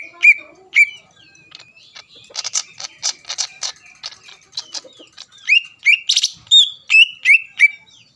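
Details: Greater green leafbird singing to provoke rival leafbirds into song and agitation: loud sweet whistled notes around mid pitch, swooping upward, mixed with bursts of harsh buzzy chatter and rapid imitative phrases.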